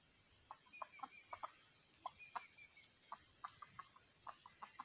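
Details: Red junglefowl decoy in a trapping setup, uttering soft, short clucks in loose clusters throughout, with faint thin whistles of another bird and a steady background hiss.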